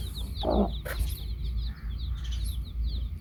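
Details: Hen and baby chicks: a single short, low cluck followed by a sharp click, with chicks peeping steadily in high, evenly spaced notes over a low droning background.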